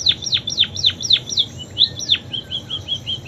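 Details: Munia with imitated canary phrases: loud plunging whistled notes in quick succession, then a softer series of short level chirps, on a low hum.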